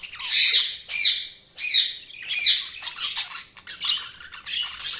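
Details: Budgies giving loud squawky chirps in separate bursts roughly every second, each a buzzy warble with rising and falling notes, followed by softer rapid chatter.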